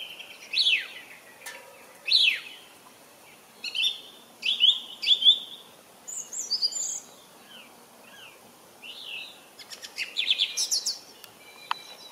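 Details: Song thrush singing: loud, clear whistled and fluty phrases, some given twice in a row, mixed with sharp high notes and quick trills, separated by short pauses, over a quiet background.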